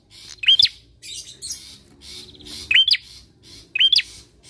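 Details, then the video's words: Bar-winged prinia singing vigorously, used as a lure to prompt other birds to sing: three sharp, hooked chirps rising then dropping, spaced about 1 to 2 seconds apart, with softer buzzy notes and faint clicks between. "PANCINGAN PRENJAK KLAWU GACOR!"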